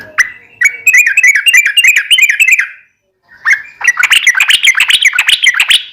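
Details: Yellow-vented bulbul in energetic song, used as a daily training recording for caged birds: two bursts of rapid, bubbly chattering notes, each lasting about two to three seconds, separated by a short silence.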